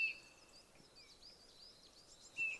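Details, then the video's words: Eurasian bullfinch in a Norwegian mountain forest at sunrise gives two soft, level piping whistles about two and a half seconds apart, its call, with faint high twittering from other birds behind. "Can you hear the unmistakable sound of a bullfinch?"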